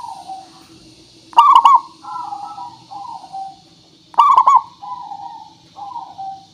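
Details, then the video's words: Zebra dove, a local bird with a clear voice, sung as a lure to make other birds answer. Loud rolling triple coos come twice, each trailed by a run of softer falling coos. A low hum and hiss sit beneath. "Suara Pancingan Burung Perkutut Pikat Paling Bagus Supaya Bunyi"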